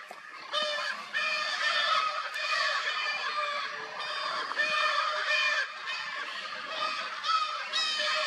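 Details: Lear's macaws in Brazil, a pair mating beside a nesting platform with a young bird nearby, give a nearly unbroken run of harsh, grating, honking squawks, loud, rough and overlapping with barely a pause.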